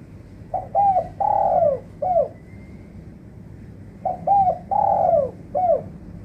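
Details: Spotted dove lure call for trapping, suited to doves that have gone silent: two matching phrases of a double coo, long falling coo and short final note, steady low hum behind.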